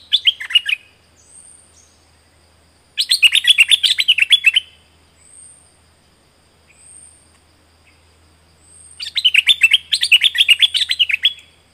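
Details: Thick-billed flowerpecker from southern Thailand, recorded as a decoy sound: three bursts of rapid, sharp, high chipping notes, each about a second or more long, with faint thin whistles between bursts.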